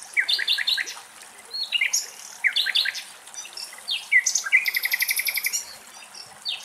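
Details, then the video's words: Common nightingales singing in Greece: rich, varied phrases of quick stuttering notes, sharp whistles and a fast rattling trill, delivered in bursts over faint background hiss. "Αηδόνια Κελάηδημα"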